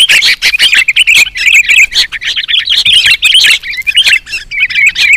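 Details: Young sooty-headed bulbuls calling on a lure recording: hurried bursts of harsh chirps and bubbly squeaks, closely spaced, with short gaps between clusters.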